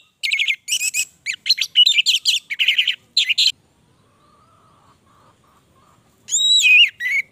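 An orange-headed thrush sings rapid, varied, chattering phrases packed with high notes, pauses briefly, then resumes with loud, clear rising and falling whistles.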